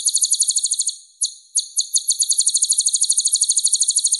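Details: Layered, high, rattling trill of a purple-throated sunbird (kolibri ninja), repeated quickly and steadily through the clip with two short breaks near the start.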